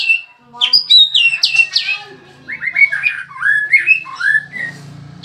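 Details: Newly arrived cage bird, uncovered and instantly singing: rapid cascade of high falling whistles followed by a chain of rising chirped notes, loud and nonstop, over a low steady hum.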